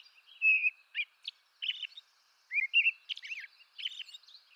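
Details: Singing American robin (Turdus migratorius), eastern North America: a drawn-out whistle followed by quick warbled phrases and a squeaky high flourish, uneven in loudness, against a silent background.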